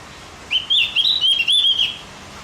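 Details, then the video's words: Javan grey-throated white-eye singing, played to make other birds more excited: a quick, bright warble of slurred high chirps rising and falling, delivered in one continuous burst of about one and a half seconds. "Masteran buat burung OPIOR JAWA agar tambah emosi"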